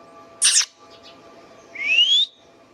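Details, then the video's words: Pet Indian ringneck parakeet making natural sounds: a short harsh high burst, then one clear whistle sliding upward, over a faint steady indoor hum. "Indian Ringneck parrot natural sounds | Ringneck parakeets sounds video"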